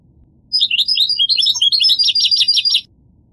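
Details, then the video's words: Goldfinch singing a rapid, bright twittering phrase of high chirps and short trills, dense notes for about two seconds, with a quiet low hum underneath. "The Resonant Chirping of the Goldfinch Bird"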